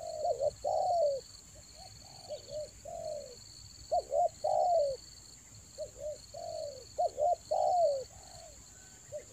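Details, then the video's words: Rainy-season spotted dove lure cooing in the Toba style, with soft hooting phrases of short notes ending in a drawn-out descending coo, repeated about three times in nine seconds against a constant high-pitched whine. "TEKUKUR PIKAT RAJA ANGGUK"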